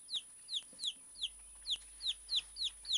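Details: Tame Silkie chick peeping steadily, high descending peeps repeated about three times a second over a quiet background.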